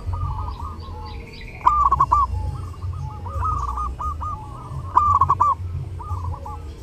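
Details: Cooing song of zebra doves during Lebaran: several birds overlap in soft rolling phrases of clipped notes. A short higher buzzy call sounds early on, all over a constant low hum.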